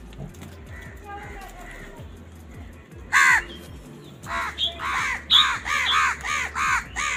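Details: Angry crows squabbling over food while eating; after a quiet stretch with a low steady hum, one loud harsh caw rings out, then a quick run of six or seven hoarse, throaty caws follows, roughly two per second.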